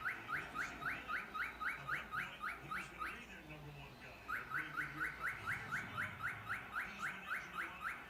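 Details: A male cockatiel trying to attract a female sings instead of courting, a fast series of rising chirped whistles, about four each second.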